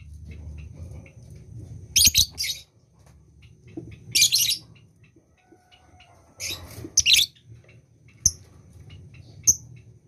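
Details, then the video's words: Lovebird in breeding condition calling in brief harsh, scratchy chattering bursts every two seconds or so, with a few sharp single chips and a steady low hum behind. "lovebird yang birahi"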